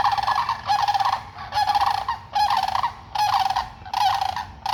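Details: Sandhill cranes calling loudly in bursts of rattling, trumpeting bugles, each lasting about a second with short gaps, near feeding ducks.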